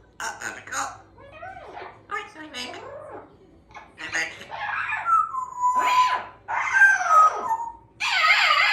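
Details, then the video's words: Female Congo African Grey Parrot, a chatty pet in a cozy country home, with a Yellow-naped Amazon parrot also present: rapid speech-like syllables with varied pitch, then drawn-out clear whistled tones and a harsh burst at the end. "the African Grey Parrot has much to say"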